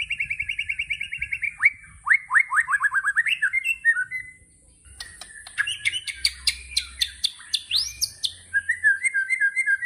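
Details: White-rumped shama delivering tembakan song: a rapid buzzy trill, then a run of sharply rising whistled notes, a short pause, then a burst of loud up-slurred shots and quick chattering notes, with a faint steady high hiss behind.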